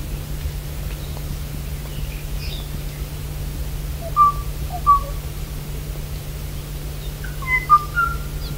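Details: Kauai ʻōʻō (Moho braccatus), extinct species: male song of a few clear, flute-like whistled notes, widely spaced, leaving gaps where a female's answering song would go, one that will never come, over a steady hiss and low hum.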